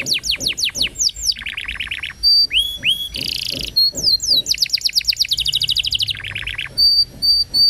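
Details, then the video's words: Canary song used as a prompting recording to get other canaries, including young birds and ones that have stopped singing, to start trilling. It has rapid falling note series, dense high trills, a buzzy burst and repeated clear whistles, all very high-pitched and continuous. "PANCINGAN Kenari GACOR Panjang!! Kenari Ngeriwik Dan Macet Bunyi Langsung Nyaut Gacor"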